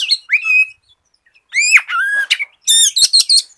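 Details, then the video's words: Caged white-rumped shama singing, used as a lure to get other shamas singing: bright whistled rising notes and harsh buzzy bursts, separated by gaps, ending in rapid sharp chattering notes. "SIULAN KACER GACOR COCOK BUAT PANCINGAN KACER BAHAN AGAR CEPAT BUNYI"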